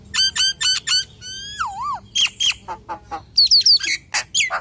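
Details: Common hill myna pouring out a varied lure song: four quick ringing whistled notes, a long gliding wavering whistle, then mixed clicks, chuckles and high squeaky whistles.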